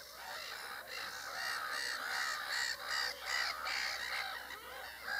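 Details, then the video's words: A group of whooper swans calls in a fairly regular run of loud, nasal trumpeting notes, roughly two to three a second, the calls overlapping and growing louder midway. "whooper swans"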